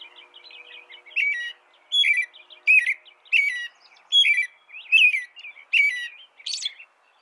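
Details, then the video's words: An American robin carols in short, clear whistled phrases, about eight of them, one every second or so, each rising and falling. "canto de robin americano AMERICAN ROBIN"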